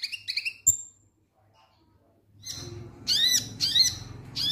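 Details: Konin lovebird giving ngek ngek song to trigger singing: a few shrill chirps and a sharp whistle, a silent gap, then harsh arching screeches roughly twice a second over steady background rumble.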